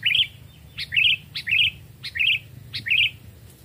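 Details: Sooty-headed bulbul, a wild-trapped cage bird aged two or three, singing in a forest vocal test: five quick gurgling, rising-falling phrases, each led by a crisp tick, coming roughly every 0.6 seconds over faint low rumble.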